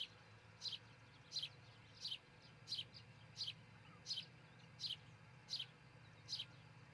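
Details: Nesting osprey pair, Charlo, Montana, nest camera, dawn of June 22, 2018; a fairly regular series of ten high, falling whistled chirps about every 0.7 seconds, with low hum throughout.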